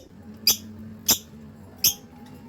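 Budgerigar chicks give three short, sharp, high squeaks about half a second apart.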